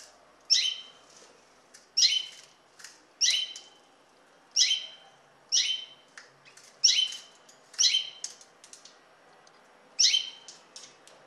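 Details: Common linnet giving a regular series of short, bright, high-pitched twittering calls, roughly one every second or so, clear against a quiet background.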